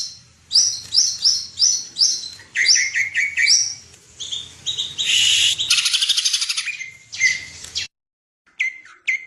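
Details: Greater green leafbird (cucak ijo) called a national champion, in a lively stretch of song: rapid series of sharp whistled notes, then a dense buzzy trill, a short break and a few final high whistles.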